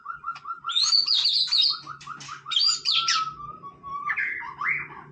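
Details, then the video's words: White-rumped shama singing at leisure: a steady low series of repeated mellow chuck notes runs under bright high whistled flourishes and buzzes, ending with rising and falling whistles. "นกกางเขนดงร้องเล่น Shama Bird"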